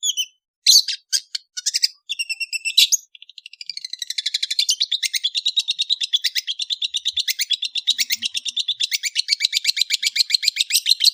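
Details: Afternoon song of an Indonesian long-tailed bird: a few loud shrill chips open the phrase, then a long, fast, steady trill of buzzy, high notes runs on without a break to the end.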